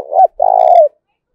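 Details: Spotted dove calling to provoke fighting, a deep-voiced bird: a short cooing note then a long, steady, throaty coo that falls slightly at the end, both low and mellow.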